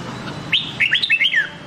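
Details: Red-whiskered bulbul song in the Nam Đông style, played for voice training: one quick phrase of liquid whistled notes, rising then stepping down, with a low background hum.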